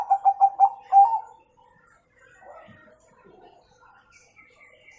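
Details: Bangkok zebra dove song in the kung style, played to train young birds to sing: five quick, evenly spaced coos, then a longer held note. Faint chirps from other birds follow.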